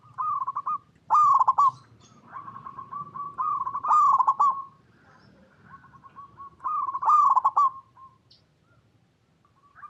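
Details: Local perkutut (zebra dove) cooing, recorded in its natural habitat: three loud bubbling coo phrases, each opening with a crackly trill and then a steady soft coo, spaced about three seconds apart, with gentle coos between.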